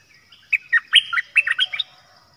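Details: Decoy bird for luring wild birds delivers a lively string of about ten clear chirping notes, quickly repeated and varying in pitch, in a quiet setting.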